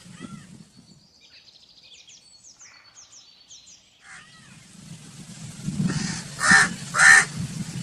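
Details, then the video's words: Small birds twitter quietly at first; then a crow breaks in with two loud, raspy caws close together near the end. "Crow Calling Sound"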